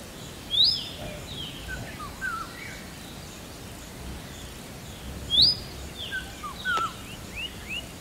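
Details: Indian robin calling twice, each a quick rising whistle nearly five seconds apart, amid scattered fainter chirps from other notes and a steady hiss of environmental noise.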